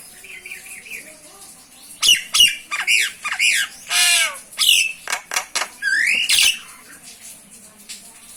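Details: Common myna of the nominate subspecies Acridotheres tristis tristis, giving a five-second burst of harsh squawks, gurgles, clicks and sharp rising whistles, preceded by faint warbled notes and followed by quiet.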